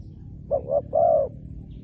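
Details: A single spotted dove phrase used for luring wild doves: two short hollow coos, then one longer sustained coo, over a low steady hum.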